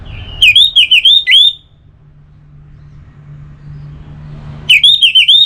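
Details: Orange-headed thrush in relaxed song: a rapid series of about five swooping whistled notes, a three-second pause over a steady low hum, then the same looping whistles return.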